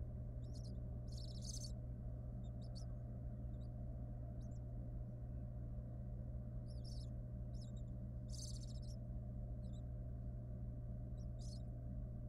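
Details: Wild barn owl female with her nestlings in a monitored nest box; short, rasping hiss-like bursts recur irregularly, some longer and louder, over a constant low mechanical hum.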